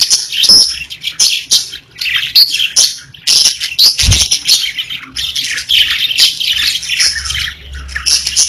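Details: Captive parakeets singing in short bursts of high chirps and scratchy warbles separated by brief gaps, with a soft thump partway through.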